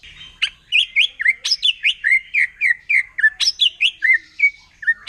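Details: Wild forest white-rumped shama singing to provoke rival shamas: a lively string of varied short whistled notes, some rising, some dropping, delivered about four per second with sharp high accents mixed in.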